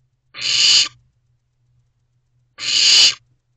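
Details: Barn owl owlet in a nest box at night, 2:55 am on 15 May 2023, calling to its parents for food: two harsh, hissing screeches about two seconds apart, each lasting half a second, over a faint low hum.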